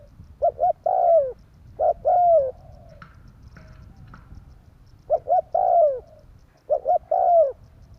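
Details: Lure call of a spotted dove, tarik akar type, for trapping: repeated three-part cooing phrases, two brief notes followed by a sustained downward-bending coo, with a light rattle between phrases.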